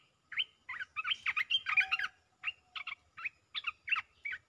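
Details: Red-whiskered bulbul repeating rapid 'poet dok' song phrases: loud, clear chirping and warbled notes given in quick clusters, with short pauses between groups, against soft low background sound.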